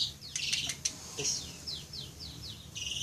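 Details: Prinia in fighting mode, recorded as a training track for caged birds: a rapid run of high, sharp chirps, then a series of short descending notes, with a steady low background hum.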